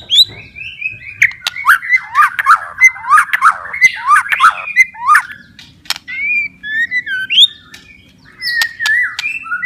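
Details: White-rumped shama song for stimulating silent or stressed shamas: a rhythmic series of downslurred whistled notes about three per second, interspersed with sharp clicks, then varied rising whistles.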